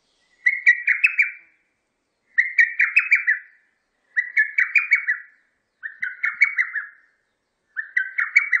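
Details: Lesser cuckoo recorded in Korea, 2020: a quick, staccato phrase of loud whistled notes repeated about every two seconds.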